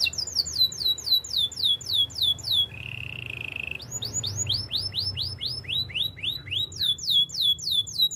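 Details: Spanish Timbrado training song from a canary: long runs of quick repeated downslurred whistles, interrupted by a second-long low buzzy roll, then more sweeping rising and falling notes at a lively pace.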